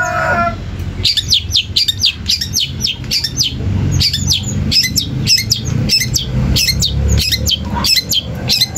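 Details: Long-tailed shrike song aimed at stirring other shrikes to answer: evenly spaced harsh chattering bursts, about two per second, each a cluster of high notes, with a low background hum.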